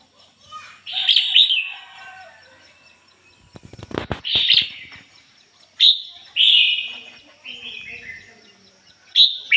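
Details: Red-whiskered bulbul decoy bird singing in the 'ngoi bổi' style, clean standard voice without mixed notes: bright warbled phrases in bursts, with a clattering rattle of knocks midway and quieter gaps between phrases.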